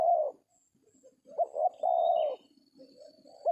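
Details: A tekukur, or spotted dove, heard while dove trappers work a decoy among oil palms; a long coo closes one phrase, then two quick clipped notes lead into a sustained, slightly falling coo, with faint high whistling in the background.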